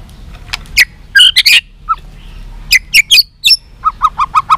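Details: White-rumped shama singing a long song meant to provoke fighting, with tail-flicking; scattered sharp whistled and clicking notes, then a run of six quick even low chips near the end.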